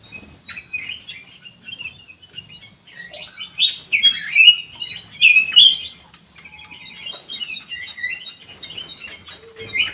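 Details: Lure recording of a Sooty-headed bulbul: scattered chirps build into a loud burst of sharp, squeaky, twisting notes mid-way, then fade back to softer chattering, with a steady electronic whine throughout.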